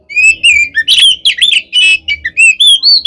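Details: Oriental magpie-robin (kacer) fighting song used as bait to provoke other birds into answering: loud, clear whistled notes between about 2 and 4 thousand cycles, sliding and repeated in quick bursts with harsher rasping phrases in between.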